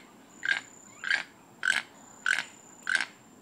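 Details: Toucan mating song, five rasping croaks at a regular pace of roughly one every 0.6 seconds, each a brief harsh burst, against a quiet background with a thin high tone.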